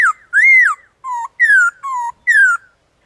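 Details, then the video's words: Wild black-throated laughingthrush singing in the forest with many voices: six loud, clear whistled notes in about three seconds, arched, rising and falling, alternating higher and lower phrases, with no other sounds. "Khướu bạc má hót ngoài rừng Nhiều Giọng"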